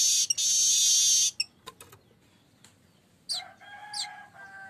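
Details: Manyar kembang, or streaked weaver, lure song: a long, loud, high sizzling buzz lasting over a second, scattered clicks, a quiet gap, then rising squeaky notes over a thin, steady whistle.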